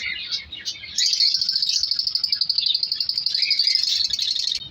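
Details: Colour lovebirds breeding in a colony aviary in winter give a continuous shrill, buzzy twittering of many voices, pulsing rapidly, after a few separate chirps at the start.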